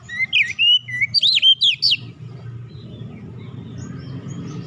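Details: Oriental magpie-robin singing as a lure to prompt other birds into song: a burst of loud whistled, swooping notes for about two seconds, then only a steady low background hum.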